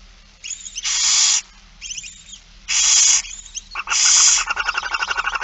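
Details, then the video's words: Barn owls being fed on 8 September 2019 at 16:02 give three rough, hissing screech bursts, each about half a second long, with quieter rasps between them and a fast train of ticking clicks at the end. "Kerkuil It Fryske Gea 2019 09 08 16 02 voedering"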